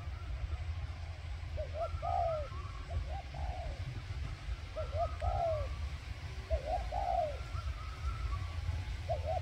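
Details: Cooing of a decoy spotted dove meant to attract wild birds: repeated mellow phrases of two short notes and a longer descending coo, with faint higher tones and a low continuous rumble behind.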